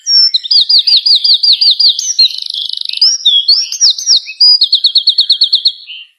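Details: Songbird delivering loud rapid song: series of repeated looping whistled notes, a buzzy rattling trill, more swooping whistles and a closing quick run of chirps.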